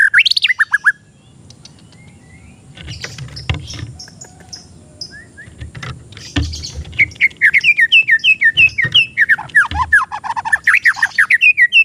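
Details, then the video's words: A young caged oriental magpie-robin, recorded as a training or lure song: brief falling notes, a quiet stretch with faint clicks, then a long bright run of quick repeated dipping whistles. "MASTERAN ATAU PANCINGAN BURUNG MURAY BAHAN"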